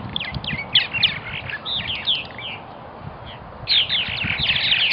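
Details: Purple martin colony in Melbourne, Florida, with many birds chattering at once: busy bursts of high twittering, gurgling notes that ease off midway, then surge again loudly near the end.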